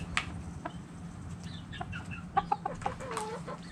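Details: Chickens and roosters dirt bathing; sharp clucks and short calls, including a cluster of four quick notes and a longer drawn-out cackle near the end, over a low steady hum.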